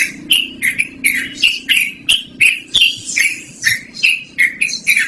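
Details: Yellow-vented bulbul giving its loud, distinctive continuous song for luring or training birds: a brisk series of short, clicky, bubbling chirps with slurred tones, closely spaced, under a faint low hum.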